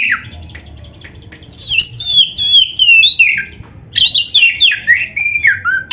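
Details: Oriental magpie-robin singing, recorded as training material for other birds: after a brief falling note and a pause, a lively stream of warbled, fluting whistles that step downward, repeated in two bursts.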